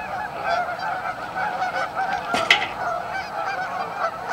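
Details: Canada geese massed at a staging area on Amber Trails Lake, Winnipeg, keep up a continuous honking chorus, broken midway by a sharp crackling burst.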